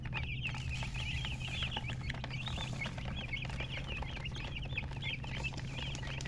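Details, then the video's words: Chickens chirping: a dense stream of quick, high, wavering peeps overlapping continuously, with a steady low hum underneath. "silly chicken chirping sounds with murgi hen color chicken"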